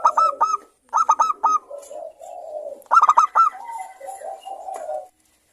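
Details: Several local zebra doves sing back and forth, a lure to make other doves sing quickly. Rapid clusters of three to four hooked coo notes alternate with lower, smoother cooing.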